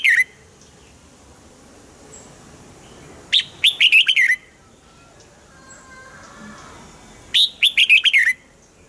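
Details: Red-whiskered bulbul, caged, singing to get cage birds excited: two matching phrases about four seconds apart, each a sharp upward note then a tumbling series of bright whistled notes dropping in pitch.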